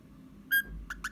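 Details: Pet Eastern rosella in a small room on 29 January 2021, producing one loud pure sustained whistle followed by three brief quieter whistled chirps.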